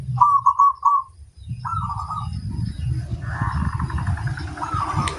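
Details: Local zebra dove singing loudly: a short burst of four quick coos, a brief second phrase, then fainter notes half buried under a steady low rumble of engine-like noise.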